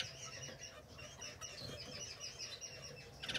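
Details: Masked grass finches giving a dense stream of short, bright chirps that overlap and repeat rapidly throughout, with a burst of wing flapping near the end and faint low rumbling beneath.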